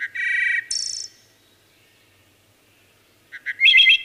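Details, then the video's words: Singing wood thrush: a rich low warble topped by a high metallic trill ends one phrase. A pause with a faint echoing tail follows, then the next phrase begins with short notes and rising fluted whistles. "Wood Thrush Bird Singing"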